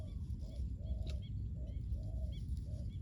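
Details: Ground decoy spotted dove luring wild birds, with muted coos of varying length repeating in quick succession, partly buried under strong low-pitched rumble and a brief click.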